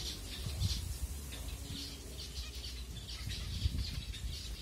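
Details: Feeding-time finches in Kumarapuram Thoppur, Tamil Nadu, India, phone recording: rapid, irregular scratchy chirps from a group of birds, with occasional soft wing flutters and thuds against a low rumbling background.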